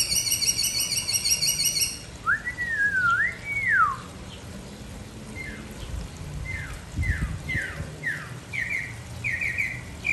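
A mockingbird sings varied phrases: buzzy rapid notes, then a swooping whistled phrase, then a string of short, clear falling whistles about once a second, over low background rumble.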